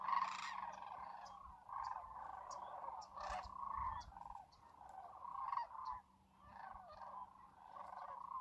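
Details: At Whitewater Draw near McNeal, Arizona, in winter, where tens of thousands of Sandhill Cranes gather by a small lake, a huge flock keeps up a continuous chorus of rolling, trumpeting calls that overlap and rise and fall in loudness.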